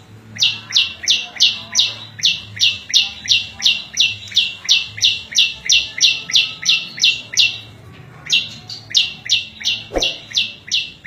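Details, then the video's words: Prinia song used for training cage birds and luring wild birds: sharp high chipping notes, each with a lower hooked tail, repeated about three times a second in a long steady run with one short pause. "Suara Variasi prenjak lumut cocok buat masteran&pikat burung liar"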